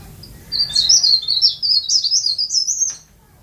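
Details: Tame, vocal caged leaf warbler gives a high, rapid, squeaky warbling phrase lasting about two and a half seconds, dense notes run together, with quiet low hum in the background.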